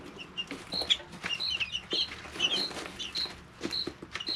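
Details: Young chickens, three weeks old, living in a brooder: clear high peeps repeated at an uneven pace, a few rising-and-falling chirps among them, over faint scratching and tapping.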